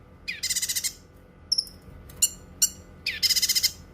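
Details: Cucak kinoi singing for use as a training and therapy recording: a loud buzzy rattle of quick pulses, a pair of thin whistled down-slurs and sharp chirps, then another pulsing rattle.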